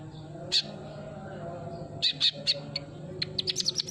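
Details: Sunbird song as a lure: a lone high chirp, a pause, then a run of sharp tweets quickening into a rapid twitter at the end.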